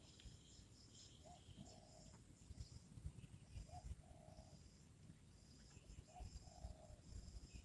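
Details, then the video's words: Spotted dove kept as a trained decoy for luring wild doves, now calling regularly. Low cooing phrases, each a short note followed by a longer drawn-out note, repeat about every two and a half seconds. High insect buzzing and low rumbling noise run underneath. "Mikat burung tekukur"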